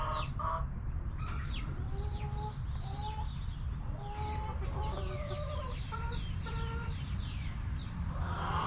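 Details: Hens in a backyard coop cluck steadily, short two-toned notes repeated about once a second through the recording. Wild birds chirp with quick descending notes in the background over a low hum.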